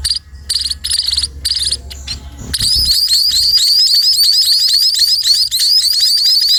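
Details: A few spaced chirps give way to an intense, continuous chatter of rapid, rising begging notes as sparrows are fed, several calling at once.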